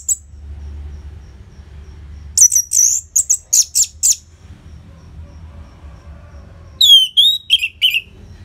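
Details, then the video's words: Orange-headed thrush singing loudly with short pauses, a recording meant to coax silent caged birds into song: a fast run of sharp high chips, a pause, then slurred whistles dropping in pitch. "Pancingan & Masteran ANIS MERAH Gacor Jeda Rapet Suara Keras || Burung Macet Pasti Ikutan Bunyi."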